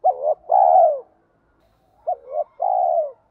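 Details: Two low cooing phrases from a spotted dove in giọng thổ pha đồng voice, used to excite wild doves: each a short bent note followed by a longer, warm, falling coo, spaced about two seconds apart.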